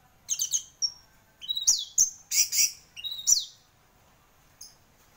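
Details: Singing champion orange-headed thrush delivers quick high whistled phrases and sharp slurred notes in a dense burst, then falls quiet.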